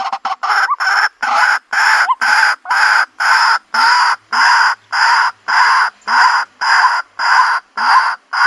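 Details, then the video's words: Loud, grating calls of a white-breasted waterhen, locally called tikling or kalapini, repeated rhythmically at almost two per second, each note a harsh rasping block with brief pauses between. "White Breasted Water Hen, tikling (kalapini bird) sound"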